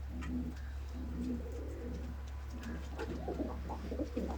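Pigeon cooing: two low, soft, drawn-out coos, then a quicker throaty burbling run of coos, over a steady low indoor hum.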